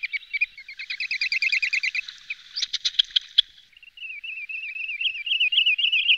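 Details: Wood sandpiper giving a fast run of clear, high notes, a few sharp clipped ones, then a warbling, rippling phrase that holds a steady pitch.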